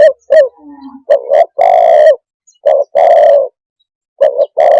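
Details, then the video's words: Closely packed cooing from a spotted dove, about four phrases of short stuttering notes and long, deep, buzzy coos with brief pauses between them, plus a soft low whistle near the start. "suab nquab quaj zoo tiếng chim cu đất"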